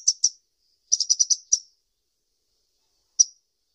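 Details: Kolibri ninja sunbird uttering a few sharp, high chirps, then a quick run of five notes and one last lone chirp after a pause.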